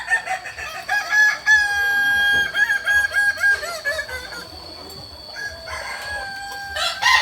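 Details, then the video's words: Kokok Balenggek roosters at a crowing practice in Amko, Solok city: a long, stepped crow with many short wavering syllables in series, a steady thin ringing tone behind, and further crows joining near the end. "Latberan ayam kukuak balenggek"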